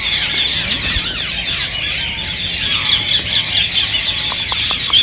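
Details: Rose-ringed parakeets calling, a sound said to prompt other parakeets to sing and mate; harsh high screeching chatter fills the whole stretch, with a few short clicking taps toward the end.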